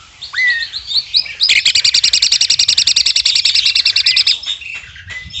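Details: Woodpecker-like rattle from an Asian pied starling kept for training contest birds: a rising whistle and scattered notes lead into about three seconds of rapid, even hammering pulses, then a lone whistle.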